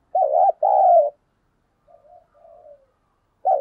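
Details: Spotted dove used as a decoy to provoke fighting, said to call readily: a loud paired coo, a short note then a longer drawn one, followed by two soft muffled coos and the start of another loud coo.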